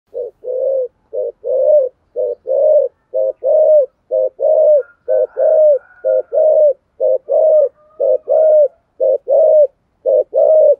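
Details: ["Spotted dove cooing in the deep 'thổ sấm' voice style, used to stimulate other doves. Low, hoarse coos repeat steadily about once a second in short paired notes, with a faint higher whine in the background."]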